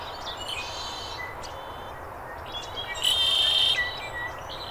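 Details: Red-winged blackbird in Arizona's Sonoran desert: a few short introductory notes, then a loud buzzy trill lasting under a second, over steady hissing background noise with faint scattered chirps.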